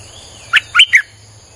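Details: A Streak-eared bulbul lure phrase of three quick, bright chirps, each briefly rising then dropping, over a faint steady insect whine.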